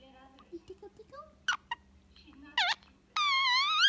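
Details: Indian ringneck parakeet kept as a pet, chattering while relaxing with its owner in the evening: scattered soft chirps and short squeaks, two sharp bursts, then a long loud wavering whistled note at the end.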